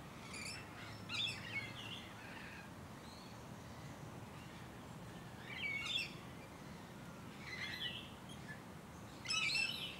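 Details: Musk Lorikeets in Hunters Hill, a leafy Sydney suburb with parks and bushland in Australia, late November to early December 2020, with Rainbow Lorikeets present; shrill, screechy bursts of high calls around 0.5, 1.2, 6 and 9.5 seconds over soft background hiss.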